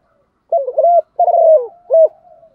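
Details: Female spotted dove call, used to prompt males to coo in reply: three low, hollow coo phrases, the first two broken into quick double notes, the last short and clean, against a quiet background.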